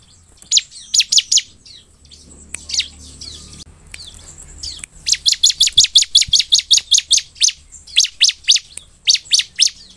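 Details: Bar-winged prinia song used to provoke caged birds into responding: a few high chirps, a pause, then a long fast run of evenly spaced sharp downslurred notes, about two per second, over a faint whine.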